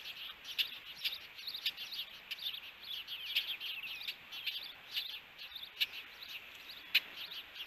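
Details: Ospreys meeting at their nest in Hellgate Canyon, Missoula, Montana, on June 21, 2022, recorded by a nest camera: loose, chattering high chirps of varying loudness, with a few sharp accented notes.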